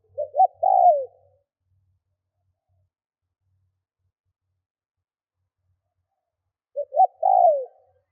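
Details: Spotted dove used as a lure to provoke wild birds gives two coo phrases about six seconds apart. Each has two quick short notes and a long falling coo, with silence between.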